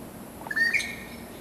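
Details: A Taiwan blue magpie (Urocissa caerulea), recorded 7 June 2011, gives one brief, clear whistled call that rises and then slurs upward at the end, over a soft background hiss.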